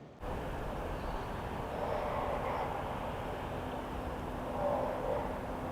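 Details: Steady broadband roar like distant traffic or wind, swelling slightly midway, with no clear animal sound.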